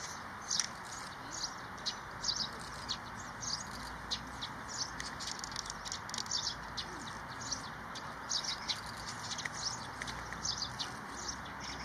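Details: Lesser whitethroat at Olympic Park on 27 February 2022, giving short, dry, high ticking notes repeated irregularly about every half second to second throughout, over a steady broadband background hiss.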